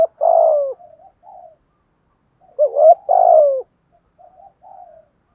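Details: Spotted dove decoy bird in 'giọng thổ' voice: a deep falling coo followed by soft trailing notes, a pause, then a hooked note and another long descending coo with quiet after-notes; otherwise silent.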